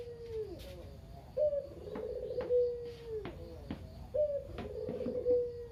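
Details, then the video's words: Lone talkative local Barbary dove used to get lazy doves calling: low trilled coos ending in long drawn, slightly falling notes, repeated about every three seconds, with sharp clicks and taps in the background. "Burung Puter Lokal (kugeru) gacor abis // Pancingan burung puter lain biar bunyi"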